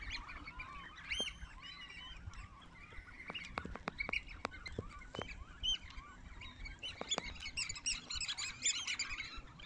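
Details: At a South Island pied oystercatcher colony at Mangere, New Zealand, the birds make a dense, overlapping chorus of shrill piping calls, with sharp clicks and knocks scattered through it.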